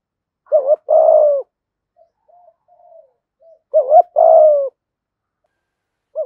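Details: Decoy spotted dove calling wild doves with 'giọng thổ' cooing: a double rounded coo then a long downslurred note, repeated after a quiet gap with faint low murmurs between phrases.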